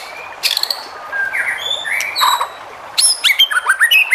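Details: White-rumped shama song to provoke rival shamas into singing: scattered clear whistles and short slurred notes, then a burst of sharp clicks and rapid varied whistled phrases.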